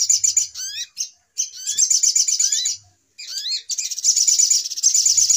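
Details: Little spiderhunter lure sound for bird trapping: phrases of rising, whistled slurs mixed with fast chattering, broken by two short silences, ending in a long, dense, high trill.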